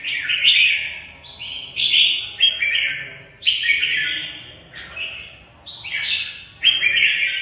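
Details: Caged red-whiskered bulbul singing its fighting song, loud bursts of rich warbled phrases stepping between high and mid notes, each outburst separated by short quieter gaps.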